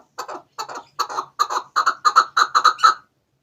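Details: Chukar partridge call meant to lure birds for hunting, Pakistan/Afghanistan: paired chuck notes that start spaced and quicken, growing louder into a tight chuk-chukar series before stopping abruptly into silence.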